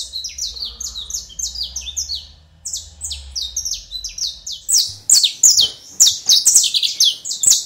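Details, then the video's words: Energetic domestic canary song: fast, repeated high chirps that slur downward, given in rapid rolls of more than two per second, with a soft low hum at the start. "CANARIO DO REINO cantoria LINDA"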